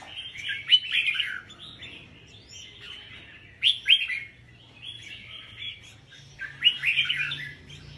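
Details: Caged red-whiskered bulbul of the 'bông' variety at a Vietnamese singing competition, delivering three loud warbled phrases about every three seconds, each opening with a sharp accented note and followed by softer twittering.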